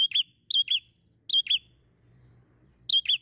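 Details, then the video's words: Bar-winged prinia, fairly active singer: crisp high two-note chirps, four pairs with a longer pause before the last, set against faint low-pitched background noise. "PRENJAK SEMI GACOR MEMPESONA"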